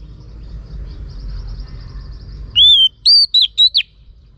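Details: Oriental magpie-robin female calling to stimulate males: after a faint distant twitter, a loud arched whistle then four quick, sharp, down-and-up whistled notes.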